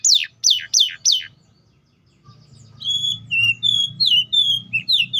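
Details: Canary song: four quick descending swept notes, a brief pause, then a series of clear whistled notes, some flat and some rising or falling, spaced about every third of a second over a low background hum.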